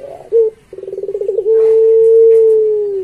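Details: Barbary dove (puter pelung), a prolific singer used to train pet doves: a soft note and a short bright one, then rapid pulsing beats that flow into a long, even, low coo held to the end.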